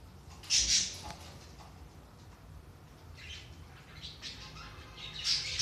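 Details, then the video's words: Budgerigar sounds meant to stimulate inactive budgies: sharp, high, raspy squawks, one loud pair early, fainter chirps in the middle, then another loud squawk at the end, in a quiet indoor setting. "صوت طيور البادجي"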